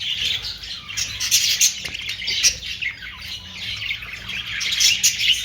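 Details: Budgerigar chatter with high scratchy chirps and short squawks, irregular bursts rising toward the end, with low background hum.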